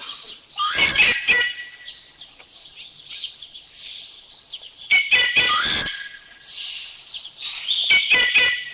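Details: Thai rufous treepie calling with harsh, rasping rattles and chattering notes in several separated bursts, with softer background bird sounds in the gaps.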